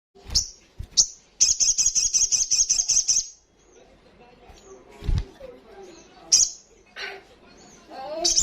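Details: Olive-backed sunbird (sogok ontong) in full song, loud fast 'ngalas' style: two short high bursts, then a nearly two-second rapid buzzy trill of evenly pulsed high notes, followed by faint background chatter.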